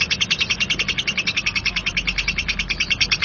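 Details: Short burst of lovebird ngekek song in rough style, grating chirps fired in quick, even succession, roughly seven per second, forming a steady rattling trill.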